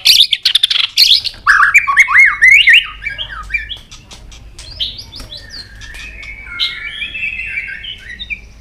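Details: White-rumped shama, excited and tail-flicking, singing a varied multi-voiced song: loud rapid clicks and swooping whistled phrases first, then softer, sustained warbling notes.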